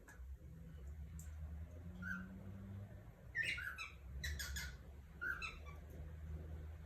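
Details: Cockatiel (calopsita) from Brazil giving a series of short, sharp, harmonic chirps and squawks, grouped in bursts around the middle, with a steady low hum throughout.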